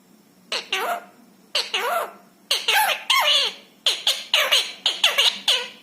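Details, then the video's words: Rescued ringneck parrot indoors speaking Hindi phrases: six or seven bursts of two to three harsh, buzzy syllables with wavering pitch, spaced about a second apart, in a quiet room. "बोलने वाला तोता। Parrot Talking । मिट्ठू मिया की प्यारी बातें ।"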